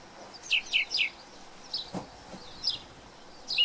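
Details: Thrush, introduced to New Zealand, gives short sharp whistled notes, three in quick succession, then scattered single chirps after a pause, ending with a bright downslurred whistle.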